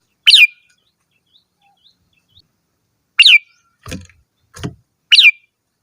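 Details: Red-whiskered bulbul singing: three short, bright, slurred phrases spaced a few seconds apart, each a quick rising-then-falling whistle, with two soft low knocks between the later phrases.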